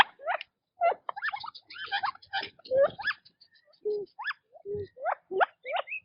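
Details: Quail feeding and moving about in their natural habitat give a busy run of short chirps and upward-sweeping peeps, some overlapping, with a few lower tonal notes and soft pecking or tapping sounds.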